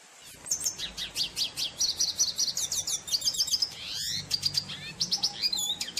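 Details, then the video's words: Singing red siskin (cardenalito): rapid high-pitched twittering with repeated chirps, ascending buzzy trills and a short rushing sweep midway, continuing in quick chatters above a constant low background hum. "Pintassilgo da Venezuela Tarim Cantando Pássaro || cardenalito 🎶🎵|| RedSiskin"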